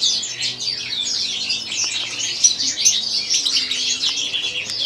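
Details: European goldfinch, white-throat form, with a busy high warble of quick twittering notes and short buzzy trills, steady and continuous throughout.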